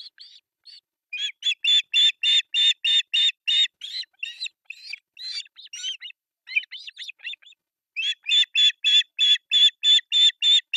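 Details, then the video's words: Three osprey chicks beg at a breakfast feeding on an artificial nest, Pohjois Satakunta, Finland, July 1, 2024, nest camera. A steady run of shrill chirps, a middle stretch of softer twittering notes, then another fast, even series. "Breakfast feeding to three osprey babies"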